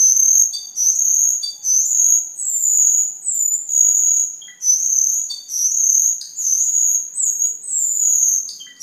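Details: Cucak keling singing vigorously. Its song is used as a master recording to train other caged birds and as a lure. Phrases are high, pure, sustained whistles, each about a second long, with brief clipped notes between them.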